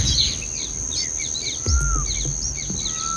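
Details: Bulbul babies in a nest, fed red cherries by their mother; thin high chirps and short rising squeaks scattered through, one clear sliding whistle, over a steady high-pitched drone and low background rumble.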